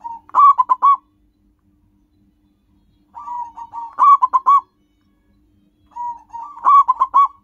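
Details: Local zebra dove with a natural wild-type voice, song used to lure and draw in wild birds: three cooing phrases roughly every three seconds, each a soft opening coo followed by a quick rolling run of clipped, pulsing notes; faint steady low hum behind.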